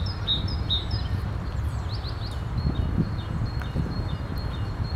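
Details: A great tit sings, with a common wood pigeon in the background; thin, high notes alternate in quick pairs, then fall to a few scattered chips over a steady low rumble of wind or distant noise.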